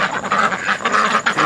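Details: American black ducks from a family that has stayed around a house for about a month, tame and fed by hand, giving rapid nasal quacks in quick succession while a person talks to them.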